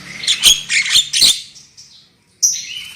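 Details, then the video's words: Black-winged myna song used as a lure recording to make birds sing loudly: harsh, broadband squawky bursts alternating with short whistled notes, then a brief pause and a high whistle. "SUARA PANCINGAN JALAK KEBO AGAR CEPAT NGOCEH KERAS"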